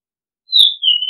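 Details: A single drawn-out whistle from an Oriental magpie-robin in a decoy-bird calling recording, gliding down and then holding a steady, pure tone, with nothing else audible.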